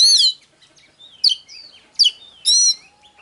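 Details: Oriental magpie-robin song, used as a file to provoke birds into singing and fighting: four loud, harsh, ringing notes at irregular intervals with soft whistled slurs between them.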